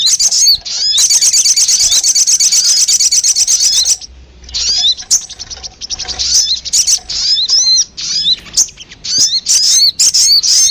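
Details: High sogon calls played to lure birds. A long, rapid, buzzy trill opens, followed by scattered thin chirps and quick slurred notes in uneven clusters.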